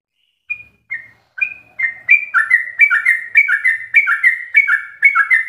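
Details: Sooty-headed bulbul ropelan song for tutoring captive bulbuls: a few single whistles, then a steady chain of paired slurred notes, high then lower, repeated about twice a second.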